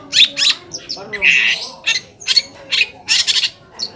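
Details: Long-tailed shrike song used as a lure to provoke other shrikes into answering: harsh scratchy bursts and short squawks mixed with brief chirps, delivered in irregular clusters with gaps.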